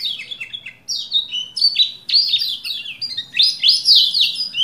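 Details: Lombok white-eye song played to provoke a male to sing: loud, fast bursts of high chirps and downslurred whistles, brief pause near one second, then vigorous trilled twittering phrases, roughly four notes a second.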